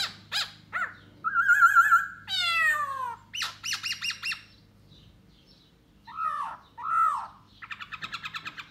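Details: Khướu da bò laughingthrush singing to lure a female while dancing: a varied loud medley of harsh notes, a wavering whistle, raspy descending chatter, paired slurred whistles and a fast closing rattle, over faint low hum.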